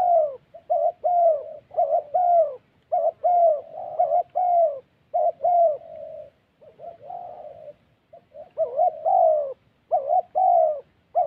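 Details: ["Spotted dove 'thổ' cooing from decoy trapping in the wild Central Highlands of Vietnam; a long run of deep, rounded coos, each phrase slightly rising then falling, delivered in dense bursts with brief breaks."]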